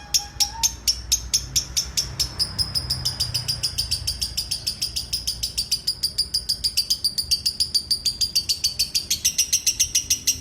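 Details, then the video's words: Long ngekek chatter from a lovebird, a rapid, unbroken stream of high, piercing chirps that runs on without pause and speeds into a dense trill, over a soft low rumble. "Love Bird ngekek 2 menit"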